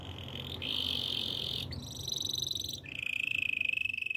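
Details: Songbird held in sustained buzzy rolls at several pitches, finishing with a fast pulsed trill; steady low background hum throughout.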